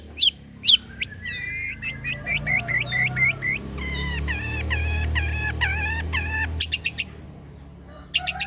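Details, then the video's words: Long-tailed shrike lure song: a fast, varied run of sharp chirps, slurred whistles and buzzy notes, high and busy, with stacked harmonic bursts near the end. A steady low hum runs underneath throughout. "PANCINGAN CENDET TERBAIK, SEMUA JENIS CENDET PASTI NYAUT BUNYI DIBUATNYA"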